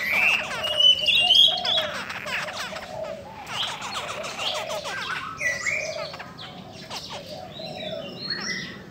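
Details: Female Chinese hwamei, described as strongly provoking males, opens with bright high whistles, then pours out fast chattering, slurred warbles and repeated looping phrases that soften toward the close, against a quiet background.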